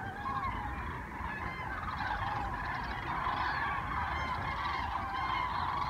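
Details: Migrating common cranes fly south over Osnabrück in early November in large groups, giving a steady chorus of overlapping rolling, trumpeting calls with no pauses, over a low background rumble.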